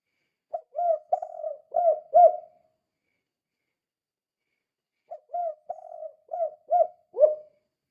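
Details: Kuk 2 call of a spotted dove, played to provoke other doves: soft, hollow cooing in two phrases of about five notes each, the last note dipping lower, with a long silent gap between phrases.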